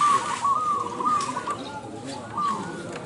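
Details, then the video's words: Zebra doves cooing at a bird-singing contest in Indonesia: short, clear, slightly rising coo notes, spaced unevenly and partly overlapping, with fainter coos from other birds and crowd murmur behind. "LOMBA SUARA BURUNG PERKUTUT ||PERKUTUT MANGGUNG INDOONESIA"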